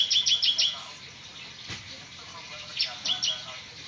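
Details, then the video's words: Bar-winged prinia in semi ngebrem song: brief clusters of four quick, sharp high notes at the start and again near the end, separated by a quieter stretch with background hiss. "burung ciblek semi ngebrem gacor"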